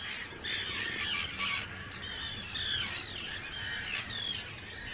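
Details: Arctic terns in a large breeding colony of hundreds of birds on Rottumerplaat, Groningen, the Netherlands, 4 June 2023; many overlapping harsh, grating squawks and rasping calls over constant wind and surf noise.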